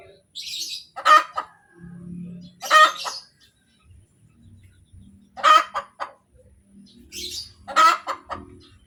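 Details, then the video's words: Laying hen cackling kotek kotek after producing an egg: four loud, raspy squawks spaced about two to three seconds apart, each led by quick clucks, with low muffled thumps and murmurs between them. "SUARA AYAM SETELAH BERTELUR | AYAM BERKOTEK | AYAM BETINA BERTELUR"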